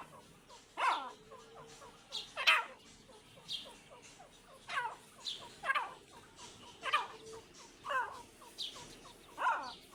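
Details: Irani teetar partridge pair producing rasping calls with descending notes at roughly one-second intervals, interspersed with quick soft chirps, over background hiss.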